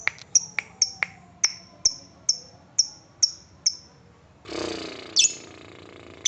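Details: Lovebird in the ngetik style, played as a lure to make other lovebirds trill: sharp, high ticks repeated about every half second for four seconds, then a brief rough rustling burst and a couple more high ticks.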